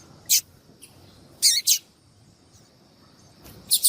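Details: Female yellow-bellied seedeater calling to attract males, used to stimulate a male to sing; sparse high, sharp chip notes in short bursts separated by pauses, with a faint steady high hiss behind.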